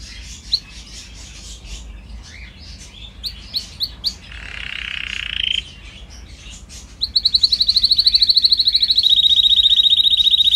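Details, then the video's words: Canary song from a training recording: scattered short chirps and a brief rushing burst, then a loud rapid trill of identical notes that steps slightly lower and continues to the end. "Canary singing"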